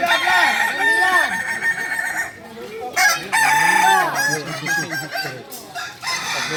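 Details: Singing chickens of the Kukuak Balenggek breed from Solok in crowing practice: several roosters crow over one another with arched, trilling syllables, a short dip in loudness around the middle, then more crowing.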